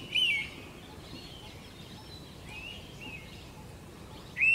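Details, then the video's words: Indian pitta pairing call, given at dawn in summer on VNIT campus, India: loud, clear whistles that slur downward, with fainter whistles between and a final whistle about four seconds later; light background hiss. "Indian Pitta Call"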